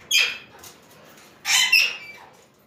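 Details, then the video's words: Gathered Alexandrine parakeets give a sharp, harsh squawk followed, after a pause, by a doubled scratchy call. "BEAUTIFUL PARROTS GATHERING"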